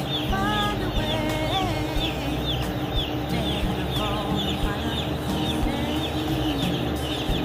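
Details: Meat chickens raised on a farm gather around their keeper; a crowded wash of short rising peeps and a few longer wavering whistles sits over continuous low machine noise.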